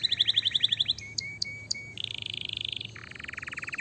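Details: Canary song meant to provoke other canaries into answering: a fast high trill, then short steady whistled notes with sharp clicks, a buzzy rolling trill, and a lower rapid rattle at the end, over a faint low hum.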